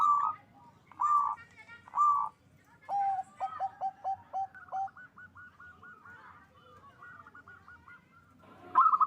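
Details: Local zebra dove singing vigorously with a big voice, played to raise mating drive: three loud, rounded coos open the phrase, followed by a run of lower clipped notes, a faster higher staccato series, and a final loud coo.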